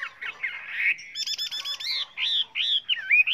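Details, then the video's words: Chinese hwamei singing a varied song with many voices, used for training other birds: rising and falling whistled slurs mixed with buzzy harmonic notes in quick bursts. "Luyện chú chim họa mi hót hay"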